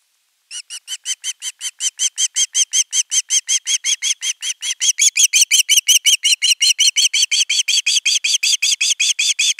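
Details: A young osprey at a Finnish nest on 10 August 2021 begs for fish for a long time before the male brings a whole fish: a steady run of short, high, whistled chirps, about three per second, growing slightly louder midway.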